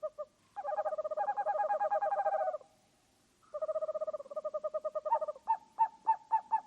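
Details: Owl producing long buzzy trills made of fast pulses, pausing briefly, then a second trill that slows into distinct, evenly spaced hooting notes.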